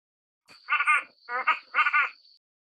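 Three short, nasal, cackling bursts from a cotton pygmy goose, about half a second apart, over a thin, steady high whine.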